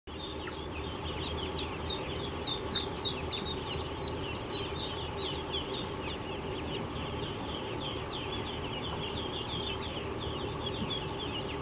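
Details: Three-day-old ducklings at a duck farm, many together, giving a dense chorus of high, rapid peeps repeated several times a second over a steady low hum and constant background noise.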